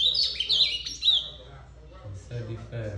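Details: Brief ultramarine grosbeak phrase of sweet twisting notes lasting about a second, followed by silence and then a person speaking.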